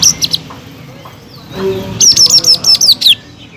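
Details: Caged greater green leafbird giving quick bright whistles, a brief pause, then a rapid string of about seven clear notes, each sliding downward, with faint background noise.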